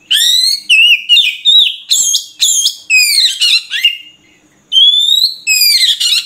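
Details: Song of an Oriental magpie-robin (murai kampung): loud clear whistles sliding up and down, broken by rasping chattery notes, in rapid phrases with one pause of nearly a second before a long rising whistle.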